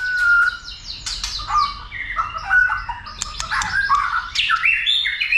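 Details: White-rumped shama stirred to sing and fight: a clear whistled opening followed by a jumble of varied warbled notes, slurs and harsh chips.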